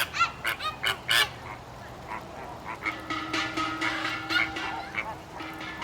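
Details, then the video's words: Zoo flamingos, Stone Zoo, Massachusetts, opening with a quick burst of five loud nasal honks, followed by quieter scattered calls under a faint steady tone. "Funny Sounds of Colorful Flamingos"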